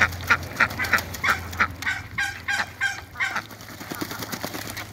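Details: Backyard African geese at play in the water with Muscovy ducks, giving a rapid run of loud, nasal, harmonic honks about three per second, fading gradually, with a steady low hum behind.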